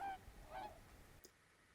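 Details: Swans trumpet from somewhere in the distance on a very quiet spring evening at a bog in Lapland, Finland, in April–May 2025: two nasal, horn-like honks about half a second apart, then a faint click.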